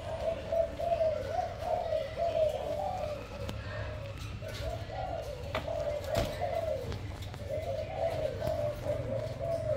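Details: Spotted dove giving low, mellow cooing phrases in three groups separated by short gaps, with faint clicks and a steady low rumble behind.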